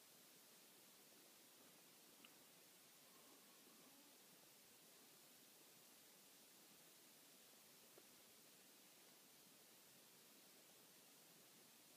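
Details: Only a very quiet, steady hiss of background noise is heard, with two faint clicks and no clear animal voice.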